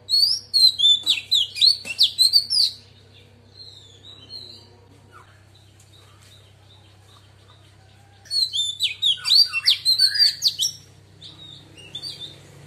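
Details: Female Oriental magpie-robin singing in the wild-voice style, said to excite males: two bursts of rich, varied whistled phrases with quick sweeps and trills, separated by about five seconds of quiet, over a steady low hum.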